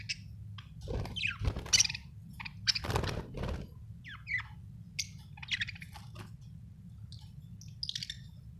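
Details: Budgerigars described as happy, chirping; scattered short buzzy and scratchy chirps and warbled notes, irregular, over a steady low hum.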